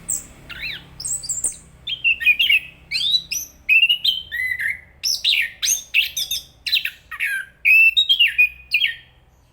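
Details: Enggano thrush pouring out a long, continuous, varied song of quick whistles, trills and slurred chirps at mixed pitches, notes tumbling in rapid succession with barely a pause, over a quiet background.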